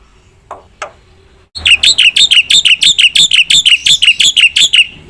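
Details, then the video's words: Two soft, brief notes, then a black-winged myna bursts into a steady, rapid series of loud, bright chirps, each sliding downward, repeated about three times a second. "suara jalak putih gacor full isian"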